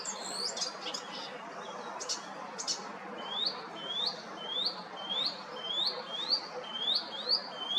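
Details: Icterine warbler singing in June in a tree by a primary school in Hrodna city, western Belarus. Starts with scratchy chattering, then repeats a high, rising whistled note about twice a second.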